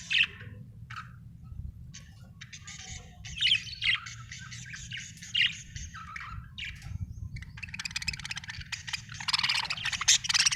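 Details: Budgerigar in a happy mood, giving a long rambling warble of chirps, clicks and grating buzzy notes, sparse at first then denser, continuous chatter toward the end, low hum in the background.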